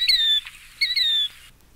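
Killdeer giving two loud, clear, high notes, each drawn out and slightly falling, about half a second apart, in a quiet setting.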